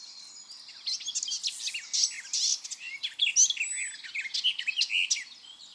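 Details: Garden warbler (Sylvia borin) singing at Fish Lake Meadows under a gloomy sky: a fast, rich, continuous warble of bubbling, varied high notes that runs on for several seconds without pause.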